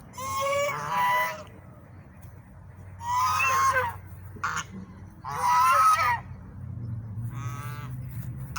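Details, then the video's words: Swans making loud noises: harsh, nasal honking calls in three main bouts about two seconds apart, each a brassy trumpeting burst lasting around a second, with a softer honk and a low background rumble between. "swans makes loud noises ever"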